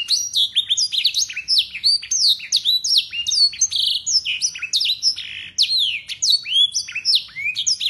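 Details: Local Yorkshire canary singing for training young birds: a long, clear run of blackthroat-type phrases, sliding whistles and dense twittering repeated without pause.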